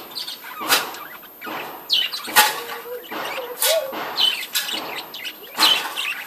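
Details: Budgerigars in a breeding colony, giving short chirps and warbled notes at intervals, mixed with loud sharp clicks and knocking sounds and a few low whistled glides.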